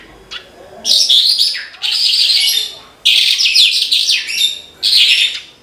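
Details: Branjangan, Horsfield's bushlark, in gacor song: three loud bursts of rapid, high chattering and tinkling notes mixed with quick whistles, each lasting one to two seconds with brief quiet gaps between.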